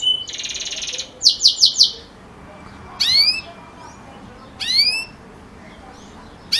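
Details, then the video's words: Belgian canary with campainha (bell) song: a buzzy trill, four quick ringing notes, then two separate sweeping whistled slurs with pauses between. "Canário Belga Canto Campainha Ótimo Para Filhotes"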